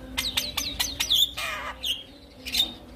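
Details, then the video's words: Javan myna song used to coax silent mynas into singing: rapid series of harsh downslurred notes and squeaky whistles around a sharp high tone, with a brief rasping burst midway and a low steady hum underneath. "Kicauan Jalak Kebo Untuk Memancing Burung Jalak Macet Bunyi"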